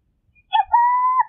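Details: Burrowing owl song, a brief low coo run straight into a long, steady, hollow cooing note lasting about half a second, with nothing else heard.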